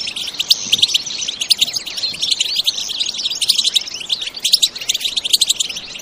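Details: Bitbita song of European goldfinches, recorded naturally without effects: a continuous tangle of quick, high, jangling twitters and short buzzy notes.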